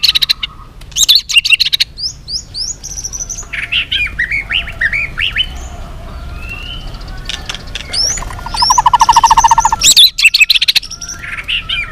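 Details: White-rumped shama singing a long, varied fighting song in many voices. Rising whistles and slurred notes mix with fast rattling trills and buzzy bursts. A dense rapid trill comes near the end, over a quiet background.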